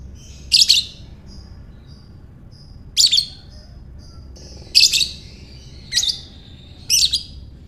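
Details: Lovebird repeating its ngekek, meant to entice other lovebirds to call: five shrill, scratchy chatter bursts, the first three two seconds apart and the last two quicker, with soft whistled squeaks between.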